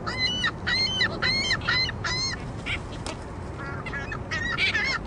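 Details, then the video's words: A loudmouthed juvenile ring-billed gull squawking endlessly: harsh, nasal squawks in quick bursts, about two per second, with broadband background noise. "Endlessly Squawking Gull!!"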